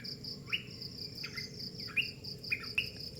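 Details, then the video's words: Early-morning bird calls: roughly six short chirps rising steeply then flattening, irregularly spaced, with a constant shrill cricket chorus pulsing underneath. "ANO ANG SINASABI NG IBON?"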